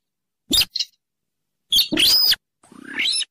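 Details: Rallidae bird lure used for trapping, swamp habitat near rivers or lakes: two short piercing squeaks, a long loud harsh screech, then a rising grating rasp.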